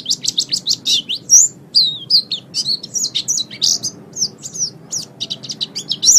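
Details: White-eye song recorded for training caged birds, suited to morning or evening: fast, busy high chirps and whistled slurred notes, some rising and falling, tumbling in quick irregular runs over a soft low rumble.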